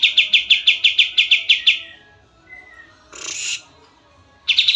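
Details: Oriental white-eye, favoured by songbird hobbyists as a master bird for tutoring: a fast staccato run of about ten sharp high notes, a faint thin whistle, a brief harsh noisy burst, then the quick high trill begins again.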